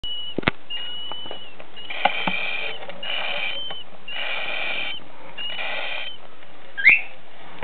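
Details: Four-week-old cockatiel chicks calling: a series of harsh, raspy, buzzing calls, each about half a second to a second long, repeated in quick succession with short gaps, plus a brief higher squeak and a few clicks near the end.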